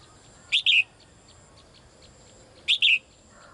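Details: Female bird kept in a cage calls for the male. The call is a sharp two-part chirp: a quick high note, then a longer note that slides down. It repeats twice, about two seconds apart, over quiet background.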